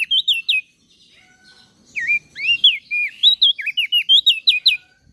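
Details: Common iora and bar-winged prinia song used as masteran for cage birds: clear, high whistled phrases of rising and falling slurs, given in a short burst and then a longer rapid run.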